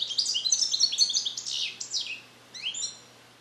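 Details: Male captive-bred European goldfinch born in 2021 in the USA, learning Neapolitan song passages in a carrier. He delivers a fast, dense stream of high tinkling and buzzy notes for two seconds, a pause, then a short sliding phrase.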